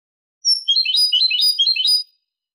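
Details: European goldfinch clean song, 2023: a sustained high, tinkling warble of fast trills and twittered notes running for about a second and a half, loud and clear against silence.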